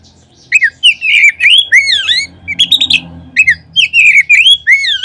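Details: Oriental magpie-robin lure song for prompting other magpie-robins to sing: bright swooping whistles and brief chirps delivered in quick, irregular bursts over a faint low hum.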